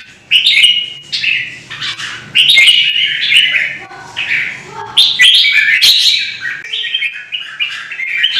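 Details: Red-whiskered bulbul, caged pet bird from Vietnam, singing in combat-song style to fire up rival birds. Bright, warbled, rapid phrases in bursts with brief pauses, and occasional sharp clicks between them.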